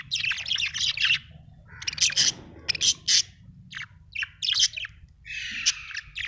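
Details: Happy budgerigar chirping in bursts of buzzy, scratchy notes mixed with brief whistled warbles, separated by short pauses, with a faint low hum beneath.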